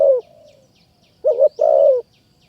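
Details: Spotted dove in Kanchanaburi forest, Thailand, calling to a decoy. The clip opens with the trailing end of a falling coo. After a pause comes one full phrase, a quick double note and then a long, steady, slightly falling coo.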